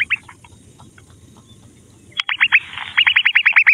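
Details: Grey francolin chicks playing with mud in a forest: after a quiet stretch with scattered faint notes, a fast run of loud, sharp chirps breaks out, dipping and rising, over a brief burst of rustling.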